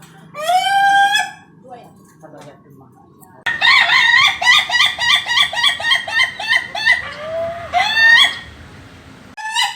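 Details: National contest-grade laughing chicken crowing: an opening crow, a pause, then a long chain of rapid, evenly repeated cackling syllables like laughter lasting several seconds, ending with another crow.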